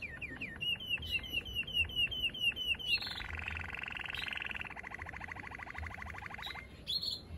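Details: Male Waterslager canary singing: a string of quick, evenly spaced chipping notes, then long, bubbling, water-like rolls and a fast rattling trill, closing with a short higher phrase, over a faint low hum.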